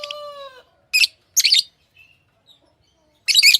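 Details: Pet lovebirds indoors: a short, steady whistled tone that drops slightly at its end, followed by three loud, harsh, high chirps separated by pauses of about half a second to two seconds.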